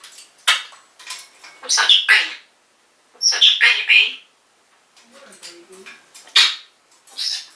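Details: A talking African grey parrot in its cage, 2012, calling out the owner's mum by name: clusters of bright, hissy, speech-like syllables, a short pause, then softer lower sounds and two more sharp bursts.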